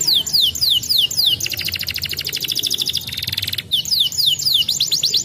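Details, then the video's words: Young canary song played as a lure to get young canaries rolling quickly. High descending whistled notes repeat rapidly, give way to a long dense buzzy trill roll, then the whistled notes return. "suara pancingan kenari muda agar cepat ngerolll"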